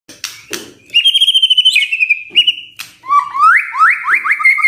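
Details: White-rumped shama song used to stimulate other birds to sing: loud whistled phrases around mid-high pitch, a long held whistle, then rapid rising slurred notes repeated in quick succession, with a few sharp clicks at the start.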